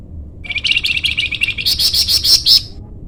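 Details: Flamboyan bird song for training or luring birds: a rapid, high, tinkling chatter rising in pitch and growing louder toward the end of a roughly two-second phrase.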